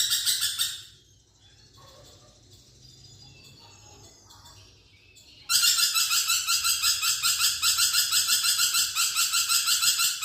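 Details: A lorikeet chattering energetically, recorded to tutor a songbird: a harsh buzzy fragment, several seconds of faint soft twittering, then a long unbroken run of loud rasping, rapidly pulsed screeching.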